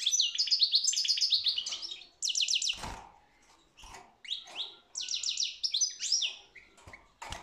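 A European goldfinch sings in bright, fast twittering bursts of tinkling, liquid notes with buzzy trills, broken by a few soft clicks and knocks.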